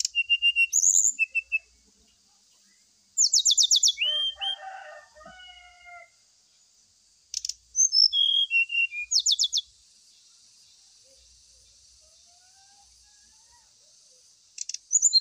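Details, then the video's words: Brown-chested jungle flycatcher lure song, used while the bird is set out in the morning dew to prompt singing; bursts of high whistles, quick buzzy trills and descending notes, with a lower harmonic, crowing-like phrase mid-way and long quiet gaps. "TERAPI SRDC DAN PANCINGAN SRDC WAKTU DI EMBUNKAN ,JAMIN CEPAT BUNYI NGLUARIN ISIAN"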